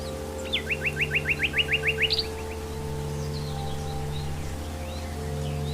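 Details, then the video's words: Common nightingale singing in the wild: a rapid run of about a dozen identical rising whistled notes, evenly spaced over under two seconds, followed by quiet, over a steady low background hum. "KICAUAN SIKATAN LONDO DI ALAM LIAR (Nightingale)"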